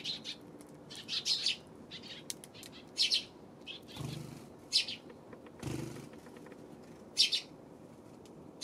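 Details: Eurasian tree sparrows recorded on 24 October, short bursts of high chirps repeated every second or two, with two brief soft rushing sounds and a steady background hum.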